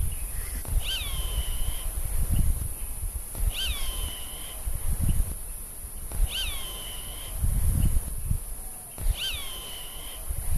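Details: A Roadside Hawk defending its territory gives four drawn-out, nasal screams, each starting with a sharp drop and then holding a high, steady tone, about every three seconds. Low wind rumble underneath.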